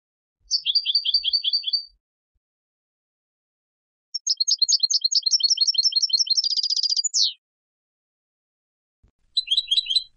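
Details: Istanbul, Turkey recording of a Turkish goldfinch: a short twittering phrase, a pause, then a longer run of high repeated notes accelerating into a buzzy trill with a falling slur, and another burst of chirps.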